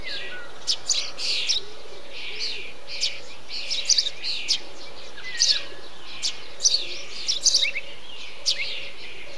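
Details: Eurasian tree sparrows (Passer montanus) in a bee-eater colony give short, dry chirps in irregular clusters; other birds call faintly nearby over a steady low hum and a thin high hiss.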